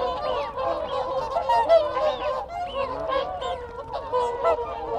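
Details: Contact calls from a close group of whooper swans: busy, layered trumpeting honks with no pause, and wigeon whistles and Canada goose honks mixed in behind.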